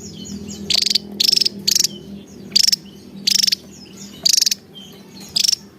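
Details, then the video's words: Lively Javan tesia song of brief, high, rattling trill bursts, each a fraction of a second, spaced irregularly every half second to a second, with faint high whistled notes in the gaps. "Burung Tesia Jawa Loss Doll"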